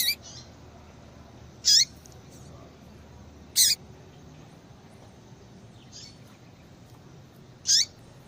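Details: Female yellow-bellied seedeater giving sparse high calls to stimulate a male's song: several sharp notes with falling tails at irregular intervals of about two seconds, plus a few fainter notes, over a soft hiss.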